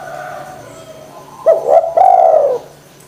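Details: Spotted dove in full cooing form, used as a lure to get reluctant doves calling: two short clipped notes, then a long, mellow, slightly falling coo, over a faint steady low hum.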